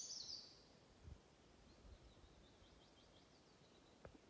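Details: European robin singing at Galten, Njurunda, on 10 June 2021: a bright, high trilling burst at the start, then a faint run of thin, high notes later on, with a quiet outdoor background.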